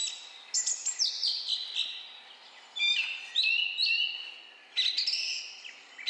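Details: Song Thrush (Turdus philomelos) on the Otago Peninsula, New Zealand, sings loud, clear whistled and chattering phrases in short bursts with brief pauses, some phrases repeated; no other sounds stand out.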